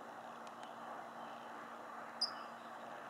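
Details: A California towhee near the Suisun marsh in Fairfield, California, gives one sharp, high metallic chip over a steady hum of distant traffic.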